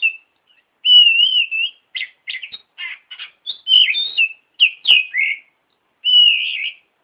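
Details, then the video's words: Oriental magpie-robin (kacer) song used as a training lure, meant to make birds answer: long wavering whistles open and close the phrase, with clipped buzzy and chattering notes packed between them, clean with no other sounds. "Suara Burung Kacer Masteran Variasi Pancingan Pasti Nyaut"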